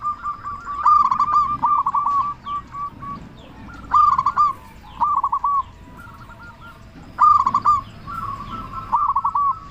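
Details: Local zebra dove singing loudly, used as a lure to provoke other doves into answering: short rolling, throaty cooing phrases at a steady mid pitch, repeated every two to three seconds, with faint higher chirps from other birds behind.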